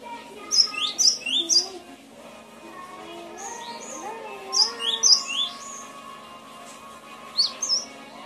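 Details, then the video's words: Song of a cinereous tit, known locally as gelatik batu, from a recording used to coax reluctant cage birds into singing: bursts of high sharp chirped phrases separated by pauses, over lower steady tones and background warbling. "Suara masteran burung gelatik batu"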